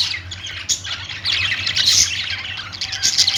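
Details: Budgerigars, described as Australian parrots singing, in a dense, overlapping chatter of high scratchy chirps and warbles that swells louder through the second half, over a steady low hum.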